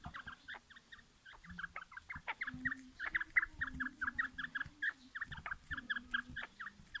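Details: Quail prepared for a fight, called batair locally: dense runs of quick, clipped, downward-slurring notes repeated several times a second, some louder bursts near the middle, over intermittent low droning tones.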